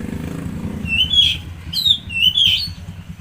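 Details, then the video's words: Kacer, or Oriental magpie-robin, giving song to rouse a stressed bird: three clear whistled notes roughly half a second apart over a steady low engine-like rumble. "Pancingan Suara Burung Kacer Macet/Stres"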